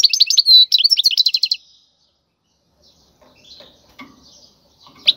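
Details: Brief wild European goldfinch song, used to teach fledglings: about a second and a half of rapid, high, jangling twitters and trills, followed by quiet with soft faint rustles.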